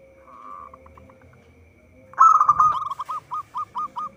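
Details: Local zebra dove used as lure bird: faint cooing, then a loud rolling phrase followed by short clipped coos repeated about four per second, over a constant hum.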